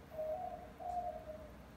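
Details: White-winged dove, a young pet bird that started cooing near five months old, giving two smooth, low hooting coos in quick succession.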